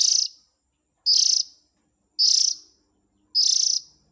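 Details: Young Oriental magpie-robin calling as a lure for the adult birds: four drawn-out harsh hisses, evenly spaced about every 1.1 seconds, loud and grating, with a clean, quiet background.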